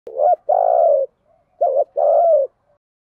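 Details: Spotted dove kept as a decoy, cooing to lure wild doves: two phrases, each a short rising-falling note then a long steady low coo, clean and close with no other sounds.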